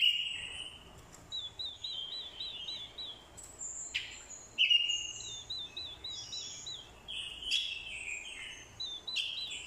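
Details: Orange-headed thrush fighting song from a decoy bird, with a female's calls meant to excite a male; scattered short whistled phrases and sharp clicks separated by pauses, rather quiet over steady background hiss.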